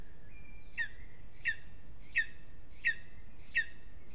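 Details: Lesser spotted eagle on its aspen nest at Aizkuja, Latvia, restless in the evening. Five short, piercing, slightly downslurred yelps come regularly, a little under one per second, above low background noise.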